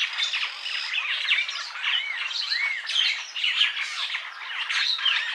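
Purple starling song, a continuous jumble of harsh squawks, chatters and slurred whistles, with short rising and falling notes packed closely together.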